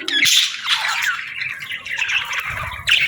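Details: Young budgerigars calling for food. Loud grating squawks merge into a steady, scratchy, buzzing chorus that swells again sharply at the very end.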